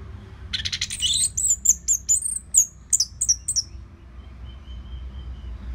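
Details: Orange-headed thrush song from Singaraja, northern Bali, used as a training sound for other cage birds; a fast string of very high, sharp slurred notes lasting about three seconds, followed by a faint steady tone and background hum.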